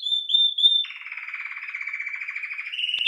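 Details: Domestic canary (canário-belga, also called canário-do-reino) in song: three bright slurred whistles, then a long, lower rolling trill that pulses rapidly and evenly before lifting slightly in pitch at the end.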